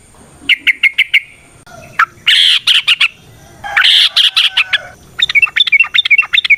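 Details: Sooty-headed bulbul singing a varied ropel song with nrotok and ngecuplik elements, meant to draw other bulbuls into song. Quick chirp runs alternate with dense, harsh chattering bursts, ending in fast bubbly notes.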